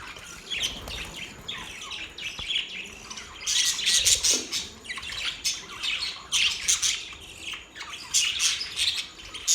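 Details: Budgies singing: quiet warbling swells into loud, dense bouts of raspy chirps and squawks, repeated in several bursts across the recording.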